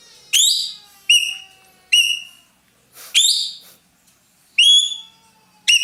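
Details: Roller known in Indonesia as ekek keling, calling energetically: six shrill, ringing, sharply attacked cries at irregular intervals, some sweeping upward, each decaying quickly into silence.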